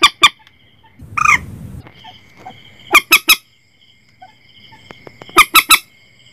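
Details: Recording of Common Moorhen for night net-setting: two quick opening notes, a rough rising squawk over noisy rumble, then two triplets of piercing harmonic notes separated by faint ticks.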